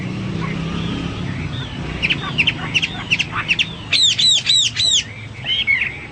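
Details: Hwamei in energetic song over a low steady hum: scattered short chirps and slurred notes at first, then a run of loud looping whistles repeated about four times, followed by a few softer warbled notes.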